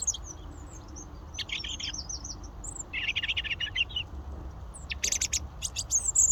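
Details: European robin singing in the UK: thin, high, fast warbled phrases of twittering and trilled notes separated by short pauses, over a low background rumble.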